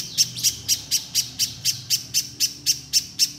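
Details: Little spiderhunter, gacor and shooting out notes, for making raw birds sing fast: about fourteen evenly spaced, very high, hard chips, roughly four each second, over soft background hum.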